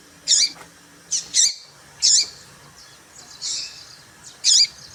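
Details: Female papa-capim seedeater calling to stir up males: about six bright, high chirps at uneven intervals, some in quick pairs, with a few softer, blurred notes between them.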